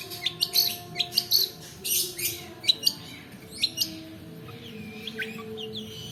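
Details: Long-tailed shrike song used as a lure to prompt reluctant birds and to tutor others, a long 'roll' style: sharp high chips and short harsh bursts in uneven sequence, then softer thin rising whistles, with faint low background hum.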